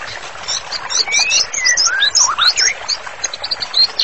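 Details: Brief white-rumped shama training song: mixed high chattering notes over lower smooth whistles, some rising and falling, delivered in short varied phrases.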